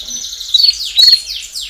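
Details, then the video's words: Brief stretch of a canary chorus used to encourage young birds to sing: quick descending trill notes repeated rapidly, with two brighter whistled accents. "Baderna de Canario Do Reino Canto Para Estimular Filhotes a Cantar Mais Rápido"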